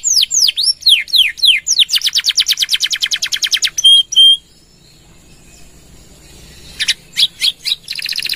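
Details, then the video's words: Canary, recorded as a lure and tutor song for other birds: sweeping slurred notes, a long fast trill, two clear whistles, a quiet pause, then scattered sharp notes and a buzzy trill. "Suara Kenari Gacor | Full Nembak Panjang!!"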